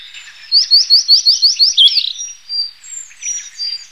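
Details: Blue-and-white flycatcher song: a rapid run of seven or eight identical chirped notes about three per second, ending in a slurred flourish, followed by scattered high whistles and soft warbling.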